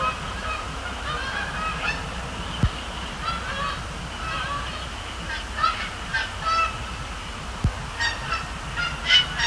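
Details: Night flight of Canada geese at Sapsucker Woods Pond, Cornell Lab of Ornithology; a long series of irregular honks from several birds building toward the end, over low hum, with two sharp clicks.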